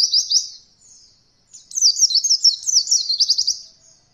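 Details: Training recording for beginner white-eyes learning roll: short high notes, a pause, then a sustained two-second run of rapid, sharp, slurred notes in a very high register.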